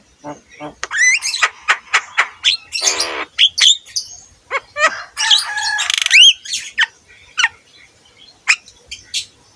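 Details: Javan myna, recorded as a training model for other mynas, mixing clear rising whistles with scratchy buzzes and sharp clicks in a fast, varied sequence.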